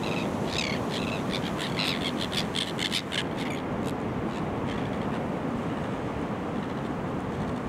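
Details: Kelp gulls with other coastal birds at Boat Harbour Aquatic Reserve, Kurnell, New South Wales, Australia, early September: a rapid series of short harsh calls in the first four seconds, then only constant surf roar.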